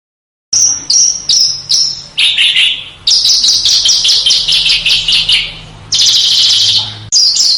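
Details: Small bird singing on a master track used to train contest cage birds to copy other birds: a few separate high chips, then long dense buzzy trills and chattering runs over a faint low hum.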